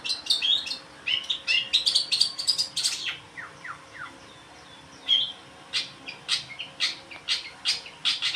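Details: Long-tailed shrike singing a rapid, varied run of high, sharp chirps and short twittering notes. Notes come in dense bursts, then sparser single chips after a short pause.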